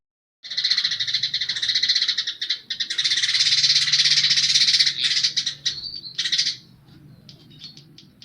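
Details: Caged baya weaver singing actively, its song filled with house sparrow phrases: a dense buzzy, sizzling chatter of rapid pulses running for about six seconds, then a few sharp chirps and quieter tail notes.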